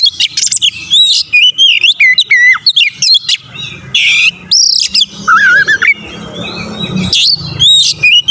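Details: Provocation song of the Oriental magpie-robin (kacer), played to stir other kacer into fighting. It gives a rapid run of high clear whistles, slurred notes and buzzy rasps, then a quavering trill and a steady low hum behind.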